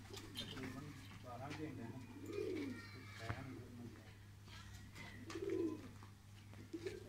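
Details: A loft of colour-painted pigeons: two or three deep, rolling coos over a constant low hum, with a person talking quietly and a few knocks.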